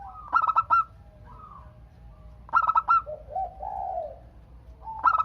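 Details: Zebra dove song meant to prompt other doves to answer: short clusters of rapid staccato coos, about four notes each, recurring every two to three seconds, with lower, softer cooing from other doves filling the gaps.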